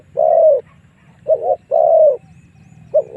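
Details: Lure cooing from a spotted dove, used to draw wild doves in to fight. Loud long coos alternate with short double notes, clear against a soft low background hum.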